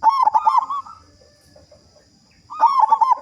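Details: Big-voiced local zebra dove in full song, meant to lure other doves into singing. Two loud pulsed phrases of quick throaty coo beats, the second arriving about two and a half seconds after the first, with quiet between.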